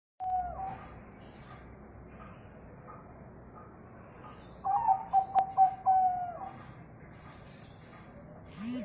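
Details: Local zebra dove song, used to prompt other birds to sing: faint background at first, then a burst of quick, soft, pulsing coos lasting about a second and a half, followed by a longer drawn note.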